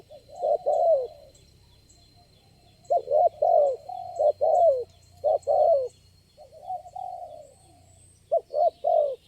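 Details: Spotted dove calling back to a lure bird at a trapping spot: bursts of hollow cooing notes separated by short pauses, then a softer drawn-out coo and one more clipped burst.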